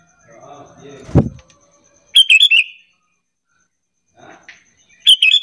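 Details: Sooty-headed bulbul lure call used to draw other bulbuls into answering: two bursts of quick bubbly, warbling notes, the second after a pause of over two seconds, preceded by a soft thud and a faint steady whine.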